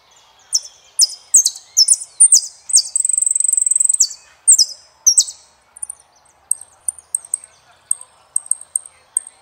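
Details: Song of an Argentine saffron finch: emphatic high descending phrases, a sustained rapid buzzing trill, more slurred notes, then a looser series of short thin chips fading out.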